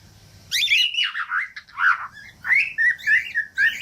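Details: After a short silence, a cockatiel gives loud squawky chirps that run into a chain of wavering whistles, from a recording meant to teach cockatiels to sing.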